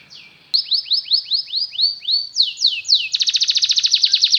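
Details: Singing Belgian canary, recorded as a lure to teach canaries song: about a dozen clear upward-curving whistled notes repeated evenly, a brief pause, then a fast tight rattling trill at high pitch.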